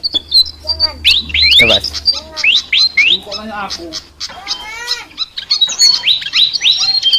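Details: Flycatcher singing a chattering song of quick, high, upswept chirps and short slurred notes, in rapid irregular bursts, with a person talking softly in the background.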